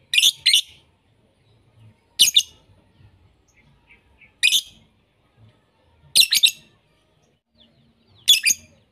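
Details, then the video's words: Lovebird calls from a lure mix made to help lovebirds learn sound variations: paired harsh, high screeches repeated about every two seconds with near silence between them. "Masteran Pemikat lovebird - untuk semua jenis Lovebird"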